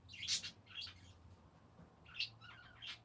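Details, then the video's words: Parakeets chattering in a few quick, bright chirps and warbling squeaks in two short bursts, over a faint low hum. "Peaceful #parakeets"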